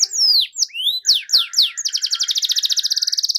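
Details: Canary singing in gacor style as a lure for quiet canaries: long descending and rising whistled sweeps, a few sharp downslurs, then a fast even roll of clipped notes held for over a second.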